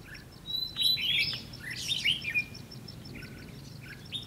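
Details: Red-whiskered bulbul decoy singing at a trap to lure and challenge wild birds, recorded 20 May 2016; bright warbled phrases of rising and falling notes, with other bird voices in the background.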